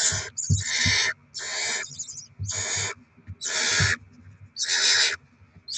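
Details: Barn owl (Tyto alba) at a nest with young during rodent deliveries and chick feeding, 7 February 2024: harsh, breathy hisses, each under a second long, repeated roughly once a second, with soft low thumps in between.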